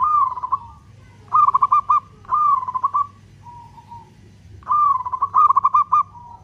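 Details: Vocal local zebra dove giving its long-beat cooing song, used as a lure to stir other doves: a stretched opening coo runs into rapid rolling, knocking notes, with quieter falling coos between phrases.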